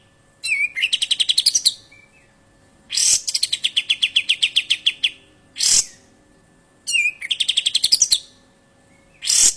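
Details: Real kapas tembak singing sharp besetan, used as a tutor recording for songbirds: repeated phrases opening with a rising whistle into fast high chirp runs, each followed by a short harsh rasping burst, about every four seconds.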